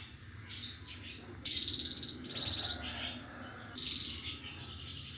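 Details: While changing its feathers, a canary still gives a lively song: bright, high chirping phrases and short trilled bursts recur about once a second over a faint low background hum.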